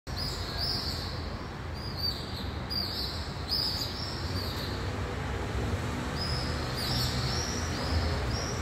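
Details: Pallid swifts flying over downtown Thessaloniki, Greece, on 20 July 2023. Drawn-out, buzzy, high screams come one after another in loose bursts over a steady rumble of city traffic.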